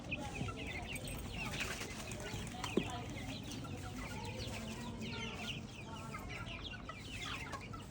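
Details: Flock of organic free-range chicks out in an open field, many high, falling cheeps tumbling over one another, softer and more distant, with a faint background rumble and one brief knock.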